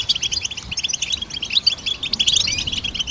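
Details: Goldfinch singing for songbird training: brisk, clipped twitters repeated in quick succession, building to denser chatter and a rising slurred whistle near the close.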